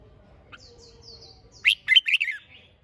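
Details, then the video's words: Red-whiskered bulbul, competition-style singing used to encourage birds to sing. Faint high thin whistles at first, then one bold phrase of four or five fluty notes ending in a downward slur. "Chào Mào Hót - Kích Chim Hót Xung"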